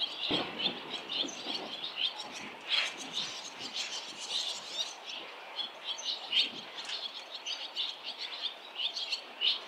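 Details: Barn swallows chatter at a noisy fledging on a street where seven nests have already fledged, though one chick stays behind. Nearly constant, dense high-pitched twittering and chirps with louder bursts, plus occasional low thumps.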